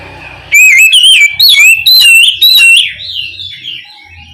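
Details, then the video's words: Oriental magpie-robin, or kacer, calling its companion with five loud slurred whistles, each bending up or down, followed by a softer wavering trill that fades out. "Suara Burung Kacer Gacor Memanggil Temannya"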